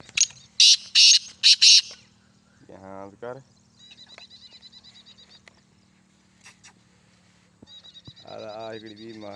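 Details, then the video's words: Calling male black francolin (teetar): a series of four loud grating bursts in quick succession, followed by a man speaking, faint rapid chirps from another bird, and more speech at the end. "Teetar ki awaz | Teetar voice | Black francolin voice"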